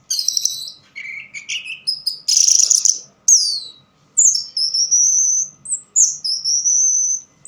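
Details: Song of an orange-headed thrush in dim surroundings: rattling high notes, lower warbled phrases, a broad harsh burst, then sweeping downward whistles and long, sustained high whistled notes.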